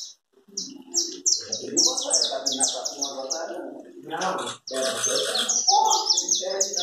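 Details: Chapinha carritilha song of a saffron finch, known as canário da terra: a fast, continuous chain of high, steeply descending notes, about three per second, overlapping steady human conversation throughout.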